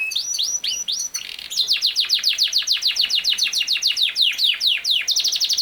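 A Yorkshire canary sings a fast, rolling trill of bright, high descending chirps, repeated rapidly and evenly, with a few sweeter upslurred whistles at the start.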